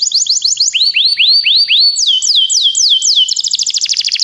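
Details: Begie canaries singing for song training: quick upslurred notes, then slower rising swoops, then looping downward slurs, closing in a rapid high rattling trill; clean with no other noise.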